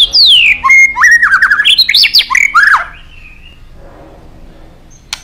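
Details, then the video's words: White-rumped shama, kept as a songbird, pouring out a loud, rich phrase of sweeping whistles: a long falling slur, then rapid rising and falling notes for about three seconds, followed by quiet room noise and a faint click. "durasi cuma 6menit tapi dijamin nembak #kicaumania #muraibatu #gacor"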